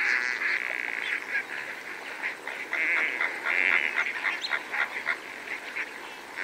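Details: Greater flamingos, several birds feeding among lesser flamingos, heard fairly close: dense chattering honks and gabbling notes running almost continuously, loud at first and thinning out toward the end, with spur-winged goose calls present too.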